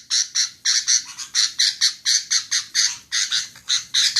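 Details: Female sooty-headed bulbul repeating coarse, buzzy chip notes about three to four per second, sometimes doubled, in a steady, uneven rhythm against a quiet background.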